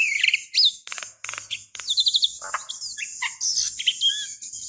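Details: Javan myna female calling the male, played as a lure for other birds: rapid high chirps, squeaky upslurred whistles and short buzzy bursts tumble together in quick succession.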